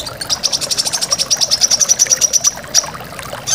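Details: Brown-throated sunbird, tembakan phrases for training caged songbirds: a long, rapid, high-pitched trill of evenly repeated chips, closing with a brief separate note, set against constant waterfall rush.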